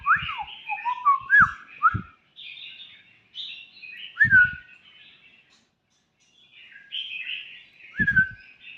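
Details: Young White-rumped shama with a loose song of looping slurred whistles and fluttering buzzy notes, broken by short silences, with a few dull low thuds accompanying the louder phrases.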